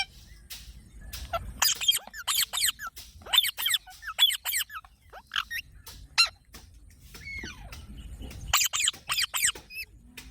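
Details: Parrot giving a series of short, squeaky, sharply bent calls in bursts, some high and thin, others downward-sliding, separated by brief pauses, with a low indoor hum beneath.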